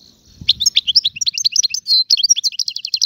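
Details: Free Algerian goldfinch singing: a fast, bright run of high twittering notes and liquid slurs, tightly packed over three seconds, with a short buzzy note mid-phrase and a faint low thump at the start.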